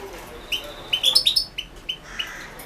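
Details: European goldfinch recorded for the 2016 internet goldfinch song championship. Delivers short bright chirps and a quick cluster of twittering notes, then evenly spaced single chips.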